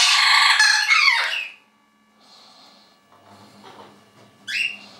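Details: Two orange-winged amazons, noisy in spring, give a loud drawn-out harsh screech lasting over a second, then quiet chatter and a final short sharp squawk.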